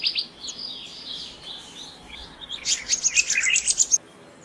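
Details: Male black-naped monarch (Hypothymis azurea) perched, giving a burst of high, sharp, rapidly repeated notes, about four to five a second, after softer faint twittering.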